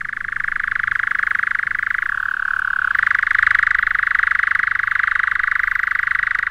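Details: A European nightjar, a scarce summer visitor, churrs in a British woodland at dusk in June. It gives one unbroken, rapid mechanical trill of up to 1900 notes a minute that drops briefly in pitch, then climbs back, running on without pause.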